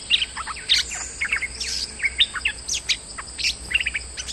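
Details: Moulting bulbul used as a lure sound, singing vigorously: dense clusters of short chirpy notes and bright tweets, tumbling in rapid groups with brief pauses, over a constant thin high-pitched hum.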